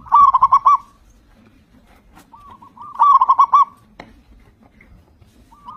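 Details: Loud local zebra dove sung as a lure for other birds of its kind: two rhythmic bursts of rapid bubbling coos three seconds apart, a few faint coos and a sharp click between.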